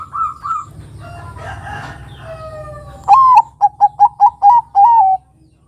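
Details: Perkutut Bangkok lure call: after soft muddled cooing, a loud phrase opens with a falling note, then a series of short evenly spaced coos and a drawn-out final coo.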